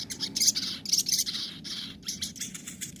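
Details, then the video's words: Sogon, the crimson sunbird, delivering nembak and ngobra song for tutoring birds that no longer sing: continuous shrill, buzzy twittering in rapid pulses, rising and falling in loudness about every half second. "masteran suara sogon nembak & ngobra"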